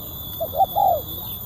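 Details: Spotted dove, known locally as tekukur, giving a crisp, sharp call: three quick low coos, two short notes and a longer drawn-out final note, in a quiet setting with a steady high electrical hum.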